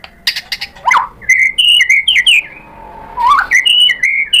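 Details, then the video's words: White-rumped shama, provoked into replying: sharp clicks, a rising swoop, then bright whistled notes in short phrases, a quiet gap, and another rising swoop with whistles. "MURAI BATU GACOR memancing EMOSI jadi NYAUT BONGKAR MATERI ISIAN"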